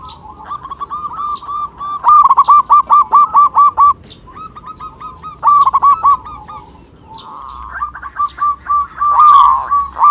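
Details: Local zebra dove used as a calling lure for other birds: fast bursts of short, hooked cooing notes in three runs separated by brief pauses, the final run loud and dense, with faint clicks behind.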